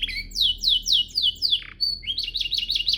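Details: Master song of a canary used to train other canaries: a run of descending slurred notes, a steady high whistle, then quick repeated rising chirps.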